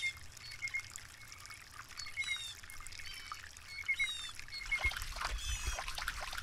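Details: Blue jay giving short, harsh, harmonic-rich calls at irregular intervals over a steady hiss like trickling water, with faint thin whistles in the background.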